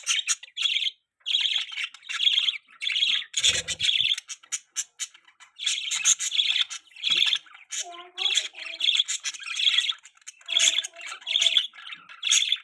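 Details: Long stretch of pet budgerigar mating chatter, a steady stream of scratchy warbled chirps in rhythmic pulses, with a couple of short lower squeaky whistles and one thump.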